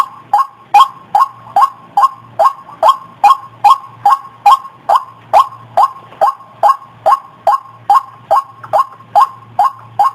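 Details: White-breasted waterhen calls played as a lure for trapping: a steady series of short, hoarse, mid-pitched notes, repeated about twice a second without a break, over a faint low hum.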